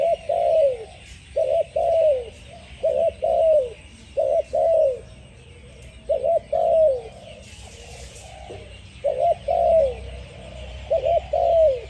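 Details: Spotted dove singing steadily: about eight repeated phrases, each a quick double-pulsed coo then a longer downward-curving coo, spaced one to two seconds apart, with a brief burst of higher noise midway.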